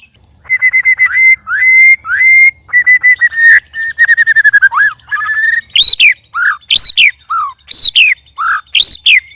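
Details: White-rumped shama sparring with two others, strange and loud: long level whistles and rapid stuttering trills, then strongly arched, swooping whistled notes alternating with lower downslurs toward the end.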